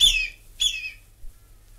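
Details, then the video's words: Whistling kite, known in Australia as the whistling eagle: two thin, high whistles, each sliding steeply downward, about half a second apart, in quiet surroundings. "Whistling Eagle"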